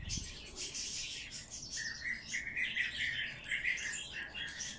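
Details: Hand-fed bird chick begging: insistent high chirps and shrill squeaks rising into repeated twittering bursts, with a brief thump at the start.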